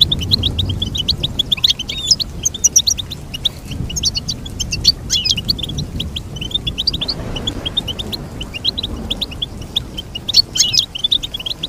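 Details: Long stretch of continuous goldfinch song, busy high twittering and trilled chirps running almost unbroken, with occasional louder bursts and a low background hum.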